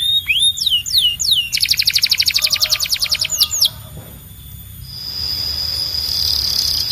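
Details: Singing Belgian canary: several high whistles sliding downward, a quick rattling trill of evenly repeated notes, a quiet gap, then a steady high sustained tone.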